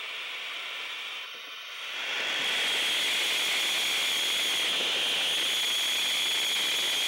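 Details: Owls at night while the owlets wait for prey delivery: a long, harsh, breathy high-pitched hiss with a faint whistling edge, thought to be a defensive hiss by the adult male, with the owlets adding to the noise. A possible interloper may have been present.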